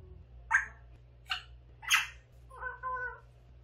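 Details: Young pet grey parrot, eight months old, babbling indoors: four short, harsh, rasping squawks about a second apart, then a softer wavering, tonal, speech-like phrase.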